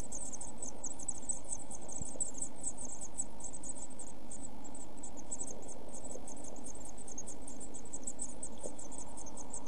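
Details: One-week-old Eurasian blue tit chicks in a camera nest box, 5–7 June 2014, giving a constant, very high, thin chorus of rapid hissing-ticking notes over a low background rumble.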